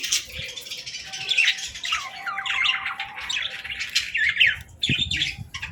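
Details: Playful baby budgerigars chirping and mimicking: rapid strings of short rising and falling warbles, scratchy chatter and sharp squeaks, with a soft background hum and a couple of low knocks.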